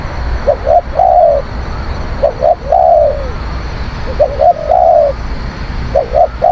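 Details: Spotted dove song for luring wild doves: low, hollow coos in groups, two short clipped notes followed by a longer drawn-out falling coo, phrases repeated about every two seconds over a low background rumble.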